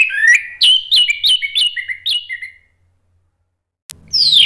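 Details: Orange-headed thrush, a kept songbird, delivering 'ngeplong' lure song for a bird that has stopped singing: swift descending and rising whistled notes with clicks, trailing off into silence, then a sharp click and a high rising sweep.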